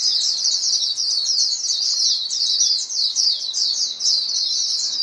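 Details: Several white-eyes calling to each other give an unbroken, busy chorus of sharp, high-pitched chirps, roughly a hundred notes a minute and unevenly spaced.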